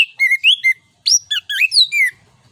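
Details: Orange-headed thrush, called anis kembang, in full 'ngeplong nembak' song for prompting other birds: clear, varied whistled notes, some flat and some rising or falling, in two quick runs split by a short gap.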